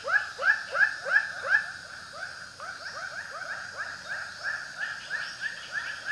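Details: White-breasted waterhen calling: hoarse, upward-sweeping notes repeated about three times a second, loudest in the first two seconds, then a softer overlapping series runs on steadily to the end.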